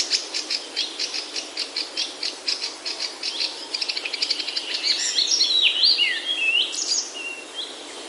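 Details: Birds in a Himalayan oak forest, Himachal, India. A steady run of quick repeated chip notes speeds up into a rattle. It then gives way to loud, tumbling warbled phrases of rising and falling whistles.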